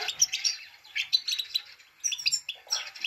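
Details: A female Himalayan goldfinch gives its 'peet peet' call to excite a male: clusters of quick, high chirps and short twittering phrases, separated by brief lulls.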